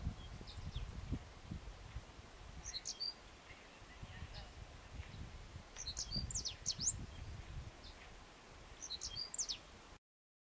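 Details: One Hellmayr's pipit calling at 2,000 m on the Comechingones ridge, Merlo, San Luis, Argentina, 21 November 2013: thin, high chirping phrases in short bursts roughly every three seconds over steady low wind rumble.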